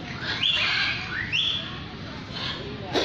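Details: Lyrebird song: loud whistled notes sweeping sharply upward, then a lower rising slur, over a steady murmur of background noise and a brief click near the end.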